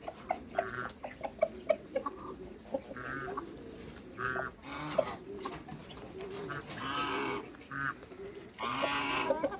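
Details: Six domestic geese, African and Toulouse breeds, on meeting new geese: short harmonic honking notes, some in quick runs, broken by harsher broadband squawks, with steady background noise.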